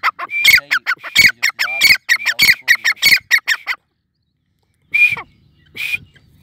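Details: A grey francolin (Sindhi teetar) calls in a fast series of loud, shrill, grating notes, repeated about one and a half per second for nearly four seconds. After a pause come two more isolated harsh calls.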